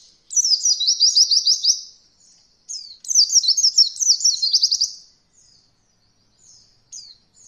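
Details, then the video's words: A training recording for beginner Oriental white-eyes learning rolling song: two bursts of high, thin, rapidly rolling twitters, each about two seconds long, then a few soft single chips. "Masteran Pleci Paling Ringan Untuk pemula belajar Roll Voll"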